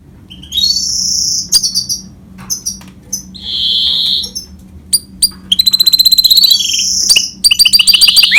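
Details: Goldfinch and canary hybrid singing in broken phrases: high sustained whistles, fast rattling trills and sharp chirps, separated by short pauses, with a faint low hum behind.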